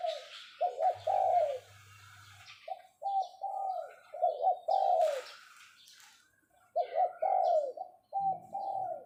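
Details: Caged decoy spotted dove giving the 'pho pho' summoning call: soft, husky coos in repeated clusters about every few seconds, each group ending in a falling note. Background bird chirps are heard.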